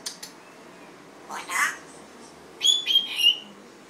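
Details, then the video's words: Red-tailed African grey parrot giving a soft rasp followed by three short, bright whistled notes in quick succession, with faint clicks early on. "loro yaco de cola roja"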